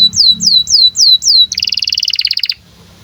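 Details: Singing canary in breeding condition, recorded to teach young canaries; five looping downslurred whistles, then a quick rattling trill of short high notes lasting about a second, over a low musical hum.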